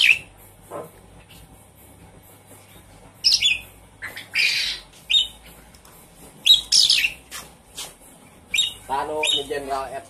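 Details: Javan pied starling (jalak suren) kept as a cage bird, sounds used as a lure to prompt a silent bird to sing: scattered harsh squawks and short chirps, with a buzzy, raspy phrase near the end and a low hum behind.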